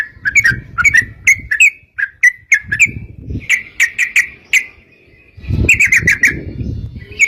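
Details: Yellow-vented bulbul singing bright bubbly phrases with short pauses, over recurring low rustling and handling noise.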